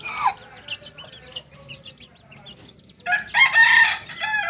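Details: Kokok Balenggek young rooster, two months old, from Solok in West Sumatra: soft chick peeps, then a loud raspy crow holding one pitch for over a second.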